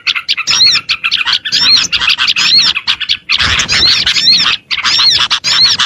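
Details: Pleci, the Oriental white-eye, in a lure recording for attracting small birds; dense, shrill twittering with repeated curved whistle notes in phrases of about a second, separated by brief pauses.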